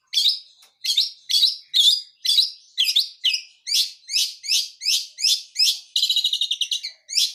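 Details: Cendet blangkon long-tailed shrike, wild, singing in full-fill style: a steady string of sharp, buzzy, downslurred notes about two per second, broken by one rapid rattling trill, clean background.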